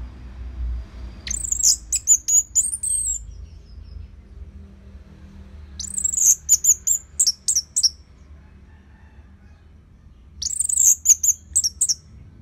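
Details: Caged orange-headed thrush in northern Bali, Indonesia, singing as a tutor for other birds; three separate bursts of high, rapid, slurred notes, each about two seconds long and spaced several seconds apart, over a low hum.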